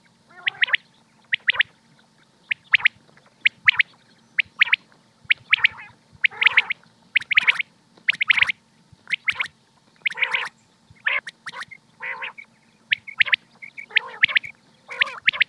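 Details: Common quail (batair) from Pakistan calling steadily: short, sharp three-note phrases of clipped high notes, repeated about once a second, with a few softer nasal notes and a constant low hum in the background.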